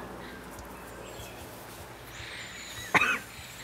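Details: First-winter taiga flycatcher (Ficedula albicilla) in Thailand gives a single short, dry, rasping rattle call near the end, over a faint steady background hiss.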